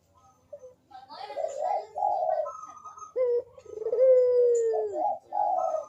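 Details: Barbary dove in lively song, meant to prompt quiet doves: grainy low coos, a higher note, then a smooth, long, falling coo followed by further burred phrases.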